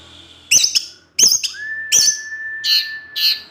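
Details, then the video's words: Orange-headed thrush, a cage bird, in teler ngecip ngecis song: harsh, buzzy chip bursts repeated about every half second over a long steady mid-pitched whistle. "ANIS MERAH SUSAH BUNYI PASTI NGEPLONG DENGAR SUARA NGECIP NGECIS TELER INI"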